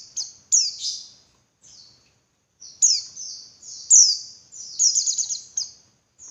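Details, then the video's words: Call of a female Javan white-eye, used to excite males so they sing fiercely: high sharp notes that drop in pitch, spaced by brief pauses, with a short rapid trilled run near the end; no other sounds. "Suara Burung Pleci Betina Buat Pancingan Pleci Jantan Biar Ngalas Lebih Ngotot"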